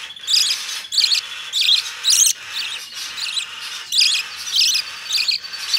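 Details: Opaline budgerigar chick, hand-tame, calling in scratchy, buzzy bursts about every half to one second, some doubled, with steady hiss behind.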